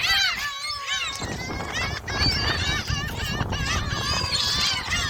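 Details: Many gulls at Jebudo island, South Korea, apparently being fed shrimp snacks, calling at once with overlapping nasal mewing and rising-falling squeals, over low rumbling background noise and faint voices.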